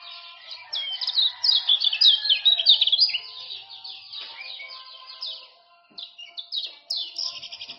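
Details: Male common iora, Lombok type, in rapid 'ciak-ciak' chatter meant to lure a silent bird into singing: a long burst of quick sliding high notes, a short pause, then further scattered chirps.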